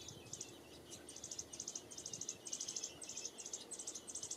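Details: American robin chicks at the nest, one of three nestlings that fledged within 13 days of hatching, giving very high, thin begging chirps in quick rhythmic bursts of four to six notes, repeated almost continuously over faint low background noise.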